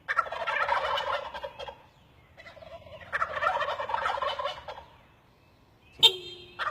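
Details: Turkeys perched in trees gobbling, two long rattling bursts of fast notes separated by a short pause, ending with a sharp click.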